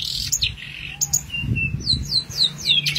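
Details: Long-tailed Shrike giving a rapid, varied song of high whistles and sharp chattering notes, several short descending slurs in quick succession, over a low background hum; used as a master recording for training songbirds.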